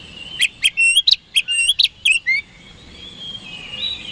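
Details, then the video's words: Oriental magpie-robin singing hard to draw fast responses from rivals: a quick chain of sharp, ringing whistled notes with cracking edges, ending in a falling slur and a soft trailing warble. "PANCINGAN KACER HARIAN 🔥 Super GACOR Ampuh Bikin Lawan Cepat Respon 3"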